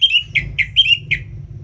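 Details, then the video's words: Orange-headed thrush song for encouraging reluctant birds: a fast string of five or six bright, slightly buzzy whistled notes, alternating longer and shorter, with low hum beneath. "ANIS MERAH Ngeplong Masteran Jahat Untuk Burung Yang Malas Bunyi Agar Lebih Gacor Selalu"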